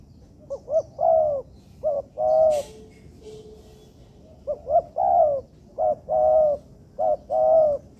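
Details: Spotted dove (tekukur) training recording from an artificial yard: repeated coo phrases of short hooked notes and longer warbling coos, with a brief click and a faint hum in a gap midway.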